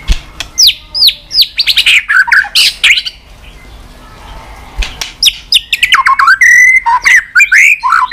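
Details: White-rumped shama giving continuous 'tạch' song, used to rouse other shamas and tail-flicking: bursts of rapid sweeping whistles and sharp notes, a quiet pause near the middle, then varied slurred and buzzy phrases.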